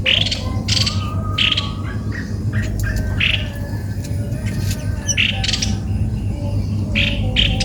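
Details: Cucak kopi-kopi, whose voice its recorder found strange on first hearing, uttering a run of harsh, squawky chirps repeated roughly every half second to second, over a constant low droning hum.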